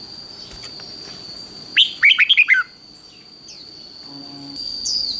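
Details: Red-whiskered bulbul in fighting song used to provoke other birds. A single crisp phrase of about six quick, descending warbled notes stands out against a low hiss, with faint thin calls afterward.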